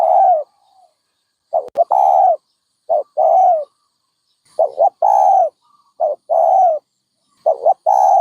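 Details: Repeated dove cooing phrases, a brief broken lead-in then a drawn-out round coo, steady and unhurried, with clean silence between phrases.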